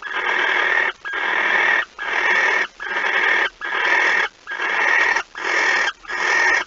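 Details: At the nest, 05:14 on 26 August 2019, a barn owl gives steady rasping hisses while a mouse is carried in. There are eight bursts of under a second each, repeated about once per second.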